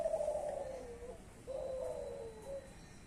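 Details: Young Klantan-type spotted dove of champion lineage giving two long wavering coos, each starting high and sliding downward, separated by a short pause.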